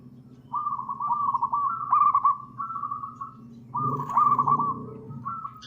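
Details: Local zebra dove singing, long-opening song meant to prompt and tutor other birds: rolling, trilled coos in phrases of rising and falling notes, repeated after a gap, over a steady low hum.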